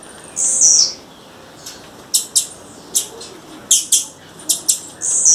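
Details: Female blue-black grassquit calling in the wild: a high thin whistled note opens, then sharp short chips spaced about half a second apart, closing with another sustained high note.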